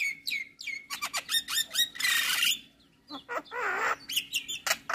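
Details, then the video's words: Morning song of a male Javan myna (jalak kebo) in masteran style, full isian: falling whistles and stacked chirps, a dense harsh rasping burst, a short silence, then wavering buzzy notes and crisp chips. "Masteran Jalak Pagi hari Dengan Kicauan jalak kebo Jantan full isian"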